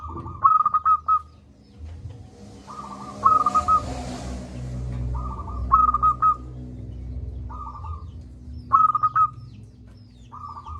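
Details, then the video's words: Loud-voiced local zebra dove singing, meant to prompt idle doves to call: bright staccato note bursts alternate with softer rolling coos every few seconds, over a brief swell of broad hiss and steady low rumble. "Perkutut lokal gacor suara besar - Masteran Ampuh Mengatasi perkutut Malas bunyi."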